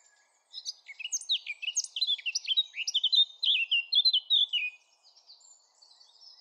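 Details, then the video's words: Song of a Eurasian blackcap: a quick, jumbled warble of chirps rising into a loud, rich run of fluty, descending whistles, then trailing off into faint, thin high notes. "Blackcap Song"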